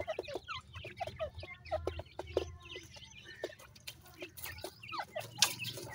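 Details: Several young grey francolins: a busy chorus of short, rising and falling peeps, some with hooked shapes, plus sharp clicks and tapping. A low hum runs underneath.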